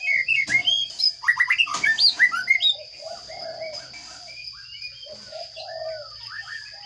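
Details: Baby sparrows fed in a nest box make loud, quick sweeping chirps over the first three seconds, then quieter scattered peeps. Low mellow cooing notes and a constant thin high tone continue in the background.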